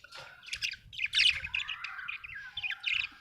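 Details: Budgie chatter: a continuous run of quick chirps, clicks and squeaky notes, with one long smooth rising whistle running under the busy high chatter.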